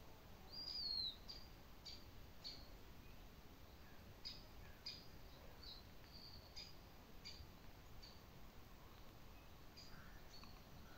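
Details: Western marsh harrier (Circus aeruginosus) call: a thin, high whistle slurs downward, followed by faint, scattered short piping notes every second or so over a steady background hiss.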